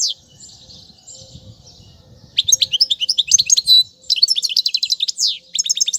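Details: European goldfinch song meant to teach young birds: soft, faint buzzy warbling at first, then a burst of quick, tinkling twitters and trills with a downslurred sweep, delivered in rapid, jangling runs.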